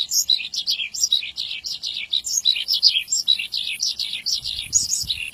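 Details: Vigorous Javan bush lark song used to train young larks. Continuous bright chirps and slurred notes pour out in a rapid, varied stream throughout.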